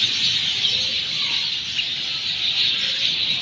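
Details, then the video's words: Short burst of sparrow noise in Sanghar, Sindh after monsoon rain: many birds chirping at once in a thick, shrill, unbroken chatter. "برسات کے بعد چڑیوں۔ کا شور"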